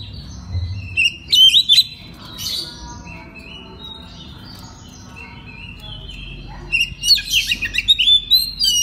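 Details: Night-therapy 'ngeplong' song of an oriental magpie-robin, used as a lure to make learning birds respond; bursts of bright whistles and harsh chatter, a quieter stretch of soft warbling, then another loud tumbling burst.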